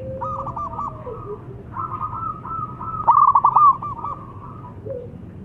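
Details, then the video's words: Local zebra dove, a strongly singing bird kept as a lure for trapping wild doves, gives long runs of rapid, rolling mid-pitched coos broken into stuttering trilled bursts, with a louder burst near the middle and a lower steady tone at the start and end. "PERKUTUT LOKAL GACOR PANCINGAN JITU SI RAJA PIKAT ALAM"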